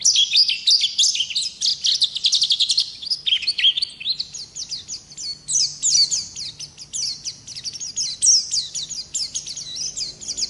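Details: Wild-type Oriental white-eye in a long, continuous rolling song: dense, high twittering with rapid chirps and trills that sweep up and down, almost unbroken for the whole stretch; faint low hum underneath.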